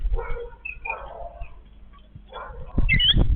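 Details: Yellow-billed babbler family feeding: two raspy, nasal chatter phrases, a quieter gap, another harsh burst, then loud rustling noise with high squeaks at the close.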